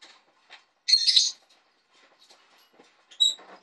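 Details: Young male Jenday conure kept as a pet, on his first venture out at his new home indoors: a loud, harsh squawk of about half a second, a shorter sharp call later, with faint soft chatter in between.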